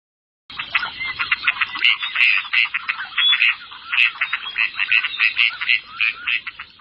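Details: A flock of gadwalls (Mareca strepera) chatters continuously, with overlapping nasal, croaking notes and short quacks, several to each second, with no other sounds.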